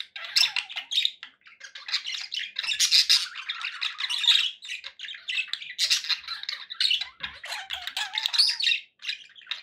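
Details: Domestic budgerigars chattering continuously, a jumble of raspy notes, quick chirps and occasional sliding squeaks layered over one another.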